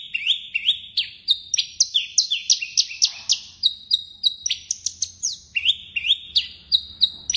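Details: Javan bush lark of the blorok type in vigorous song rich with fill phrases, a steady chain of sharp upslurred and level whistled notes, about three a second, with repeated motifs.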